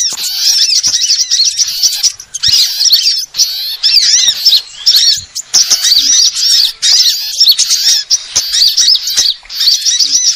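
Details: Sunbird call played to lure birds: busy stream of thin, high arched chirps and trills, many overlapping notes, pausing briefly a few times.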